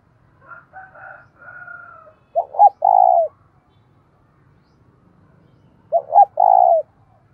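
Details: Fight-provoking call of a decoy spotted dove: after some faint higher thin notes, two low phrases come about three seconds apart, each a pair of short notes then a long mellow coo.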